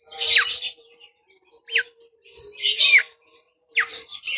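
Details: Bimoli singing as a lure for training birds: bursts of rich, jumbled high twittering, each ending in a steep downward slur, spaced about a second apart over a faint steady hum.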